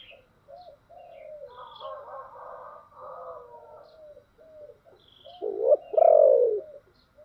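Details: Spotted dove used as a decoy to provoke wild doves, with a deep 'thổ đặc' voice style: soft, mixed cooing early on, then two loud, low, arched coos near the end, with faint chirps of other birds above.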